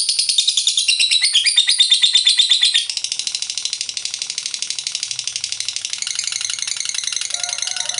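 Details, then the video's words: Lovebird in full ngekek long trill, used to stimulate opposing lovebirds to join in: loud rapid high chatter for about three seconds, then a softer, faster steady trill continuing to the end. "Lovebird GACOR Ngekek Panjang FULL EMOSI, RANGSANG LB Lawan Ikut Bunyi NGEKEK"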